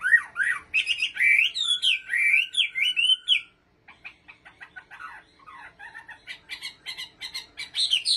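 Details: Chinese hwamei kept as a cage bird in Bình Định gives loud, swooping warbled whistles for three seconds, falls silent briefly, then resumes with softer, rapid clicking and chattering notes.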